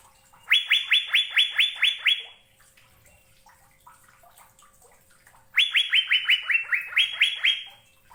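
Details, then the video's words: Asian fairy-bluebird producing two bursts of rapid, upslurred whistled notes, about seven then about twelve, separated by three seconds of near silence; the second run drops gently in pitch before rising again. "Burung Cucak Biru"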